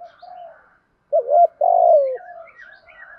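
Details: Spotted dove kept as a decoy, cooing to excite wild birds: soft low hooting at first, a pause, then a sharp rising coo and a long drawn, downward-sliding coo, with faint higher chirps from other birds behind.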